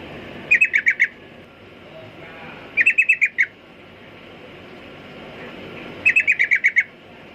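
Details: Sooty-headed bulbul song: three short bursts of about six rapid, bright chirping notes, one burst every two to three seconds, with quiet background hiss between them.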